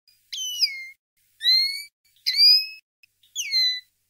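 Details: Common linnet, tutoring recording for young birds: four separate clear whistled notes about a second apart, each sliding downward or rising slightly, with harmonic overtones and quiet gaps between.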